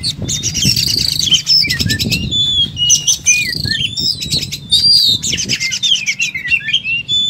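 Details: Oriental magpie-robin delivering a dense, varied song of sharp whistles, trills and buzzy rattles, with low rumbling background noise and occasional wing flutters beneath.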